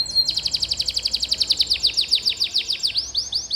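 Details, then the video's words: Canary singing 'gacor' style as masteran for training pet canaries: a very fast, even trill of high downslurred notes lasting several seconds, ending in a few slower rising sweeps, over faint background noise. "Suara Burung Kenari Gacor Bikin Hati Tenang"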